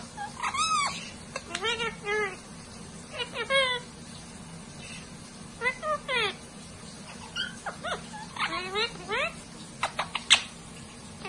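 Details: Parrots conversing with each other like humans, a busy run of harmonic chatter, rising and falling squawks and sharp high whistles spread across the whole stretch.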